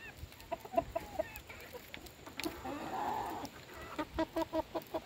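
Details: Chickens during feeding, short bright clucks in small runs at the start and end, with a rushing noise in the middle.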